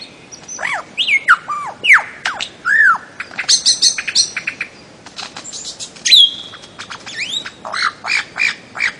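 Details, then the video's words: Busy bird-of-paradise singing, a continuous mix of looping up-and-down slurred whistles, sharp clicks and brief buzzy chatter, with loud notes every half second or so. "kicau burung cendrawasih"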